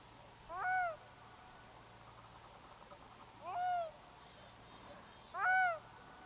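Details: Black-throated loon crying over a bay in grey mist rolling in from the sea: three short nasal calls, each opening with a quick rise and then a steady harmonic tone, spaced about two to three seconds apart over a faint low hum.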